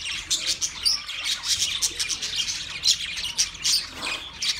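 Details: Twenty pairs of budgerigars chattering together: a steady wash of high, bright chirps and warbling twitters from many birds, overlapping without break.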